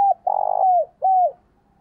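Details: Decoy spotted dove calling to lure wild doves: the tail of a coo, then a rapid pulsing purr that glides into a falling note, and a final smooth, downward-curving coo.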